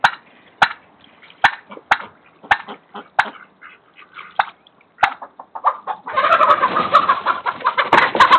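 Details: A domestic turkey, alongside chickens and ducks, is scared by a neighbour's cat: sharp, clucking alarm notes about twice a second, then a loud burst of mixed squawking from several poultry birds.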